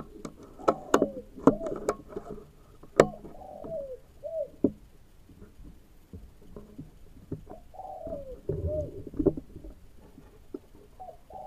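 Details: Spotted dove (tekukur) heard at an oil palm plantation during a search for the birds: soft low cooing phrases of two or three slurred notes, repeated with pauses, mixed with sharp clicks and handling knocks.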